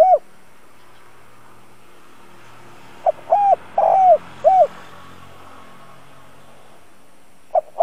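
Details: Lure spotted dove calling to entice wild birds: a single soft, rounded phrase of a short note and three hollow coos, the middle one longest, then silence before another phrase begins.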